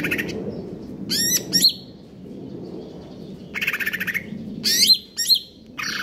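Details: Greater green leafbird in the konslet kejer nembak style, KLO type in stable condition, alternating sharp falling whistles with bursts of buzzy pulsed trilling, several phrases over six seconds.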